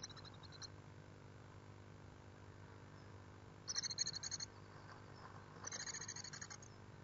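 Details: Great tit at its nest gives two short bursts of high, thin, rapidly pulsed call notes about two seconds apart, with a few faint notes at the start, over a steady low hum.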